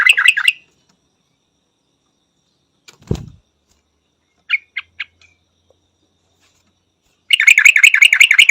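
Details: Yellow-vented bulbul: a brief buzzy trill, then a dull thump and a few scattered high chips. A long rapid chattering trill of repeated notes closes the recording.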